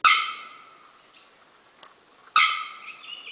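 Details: Bearded bellbird (Procnias averano) in Dianópolis, Tocantins, calling: two explosive, metallic clanging notes about two seconds apart, each ringing on like a struck bell, with a faint insect buzz behind.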